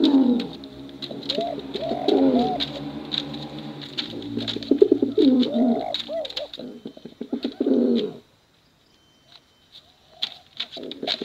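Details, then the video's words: Male and female 'bekuran' competition cooing from pigeons: dense, overlapping, throaty coos with quick ticking clicks run for about eight seconds, then near silence with only faint clicks. "Suara Bekuran Burung Merpati"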